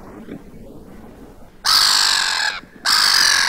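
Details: Black-headed gulls quarrelling at a beach in Vannes, Brittany, France, on 6 March 2023: after a quiet start, two loud, harsh, rasping screeches, each lasting about a second, separated by a short pause.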